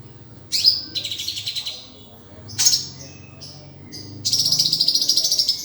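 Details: Sunbird (kolibri) song used as a master recording for training other songbirds: bursts of high, thin, rapid twittering trills, with a short gap, then a long sustained buzzy twitter near the end.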